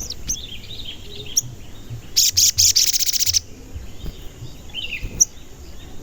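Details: Crimson sunbird, a lure recording meant to excite other sunbirds into song, its call described as cuit cuit; one fast burst of sharp, very high chirps lasting about a second, amid faint twittering from other birds and low background hum.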